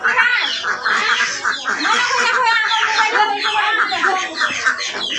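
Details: Flock of domestic ducks heading back to the house in a village, giving a dense, continuous chorus of overlapping harsh nasal quacks with no pauses.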